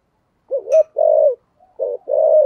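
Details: Spotted dove cooing thúc gù style in the thổ sấm voice: two phrases, each a short low note then a drawn-out level coo, with a brief high click near the start.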